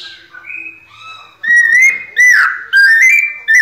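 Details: Captive white-necked thrush, pianado song: quiet, thin whistles open the passage, then strong, clear whistled phrases with upward slurs start midway and come about every half second.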